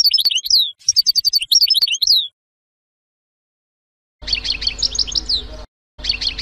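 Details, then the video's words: Goldfinch sorties presented as a first lesson: sharp, high twittering phrases with rapid repeated notes, a two-second silence, then another bright chattering burst with faint background noise. "Les sorties chant chardonneret"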